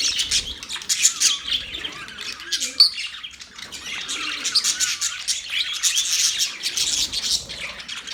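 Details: Budgerigars, Australian parrots, chirping in a dense, continuous high chatter of rapid twittering notes and short squawks, with brief louder bursts and no pause across the stretch.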